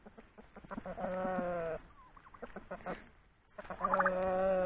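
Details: Turkeys, with roosters, give loud drawn-out nasal alarm calls with quick clucks between them as a hawk passes overhead.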